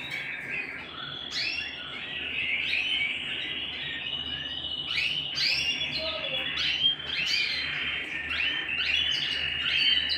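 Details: Home canary producing a continuous thin warble laced with repeated upward-swooping chirps and short trills at an even pace.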